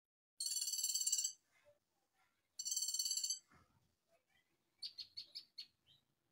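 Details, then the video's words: Brown-throated sunbird burst song, known locally as tembakan, played as a lure to make other sunbirds sing: two dense, rapid buzzy trills about a second long, followed by a shorter run of high chirped notes after quiet gaps. "Pancingan konin agar cepat nembak"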